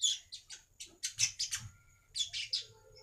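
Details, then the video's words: Baya weaver sound used as a lure for other weavers: a series of short, high, buzzy chirps in uneven bursts, with several notes close together and then a pause before a final cluster. "BURUNG MANYAR UNTUK PANCINGAN BURUNG MANYAR BAHAN"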